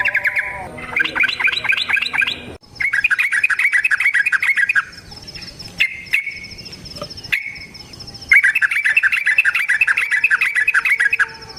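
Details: Yellow-vented bulbul in lively wild-style long rapid song, used as a lure to make other bulbuls sing: bursts of rapid, bubbly chattering notes in quick runs, separated by short pauses, with a thin high steady whine behind.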